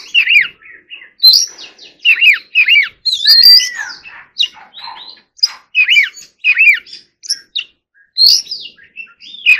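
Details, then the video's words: Oriental magpie-robin being trained, singing forest-voice phrases: a repeated downslurred whistled motif recurring every second or so, mixed with higher sharp notes and a long curved whistle near 3.5 seconds. "choè than hót giọng rừng"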